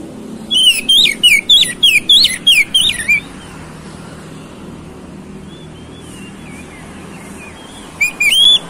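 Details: Oriental magpie-robin song played to provoke fighting: a fast series of loud, high, sweeping whistled phrases for about three seconds, a long quiet gap with faint distant twitters, then another short burst of bright whistles at the end.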